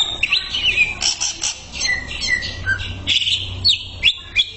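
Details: Greater green leafbird, therapy tutor song: bright bubbling phrases of rising and falling whistles and chirps, delivered in short bursts about two per second, with a faint low background hum.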